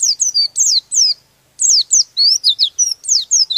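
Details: Oriental white-eye singing a rolling song meant to provoke rival birds: rapid high, thin descending whistled notes in quick bursts, a short pause mid-phrase, then more tumbling slurred notes, clean and clear.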